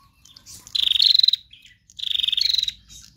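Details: Female bar-winged prinia used as a lure for other birds: two bright, rapidly trilled phrases, each about half a second long, with a slight step up in pitch partway through, separated by a short pause and faint chips.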